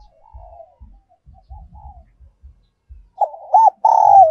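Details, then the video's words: Spotted dove decoy recording in the giọng kim style: soft faint notes and low knocks at first, then loud, clear looping coos ending in a long sustained wavering note. "cu gay moi chuan mp3/ Giọng còi chuẩn nhất 2022"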